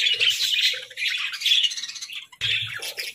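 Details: Cheerful pet budgies giving overlapping sharp chirps and buzzy warbles in short bursts, with a momentary lull before the chatter resumes.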